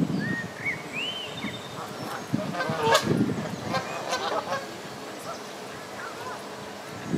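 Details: Canada geese bathing on the South Pond in Midhurst, West Sussex, England, giving short, nasal honks over steady splashing water, with a few thin rising whistles from another bird early on.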